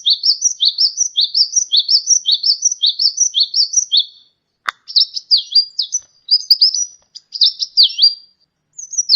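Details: Champion sunbird (kolibri ninja) used for training cage birds: a steady string of quick, high rising chirps for about four seconds, then scattered buzzy trills and dipping whistles with short pauses and a click.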